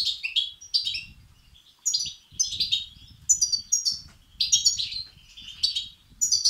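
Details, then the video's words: Begging chicks of the European goldfinch, heard to excite male birds. A near-continuous series of high, rasping chirp bursts is set against steady low rumbling noise throughout. "بتبتة وستستات فراخ الحسون الأقوى لتحفيز وتهييج الذكور"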